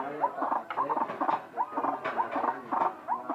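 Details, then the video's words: White-breasted waterhen giving a strange call, a rhythmic run of short, croaky, nasal notes with quick upward-slurred yelps between them, repeating in tight clusters about every half second. "Ruak ruak bersuara aneh"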